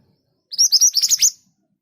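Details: High-pitched 'tembakan' burst from a scarlet minivet, or mantenan gunung: roughly seven quick, sharp chirps in under a second, loud and clean against a silent background.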